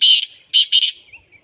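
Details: Partridge giving three harsh, rasping notes in quick succession, the first longest, with a faint high whine behind.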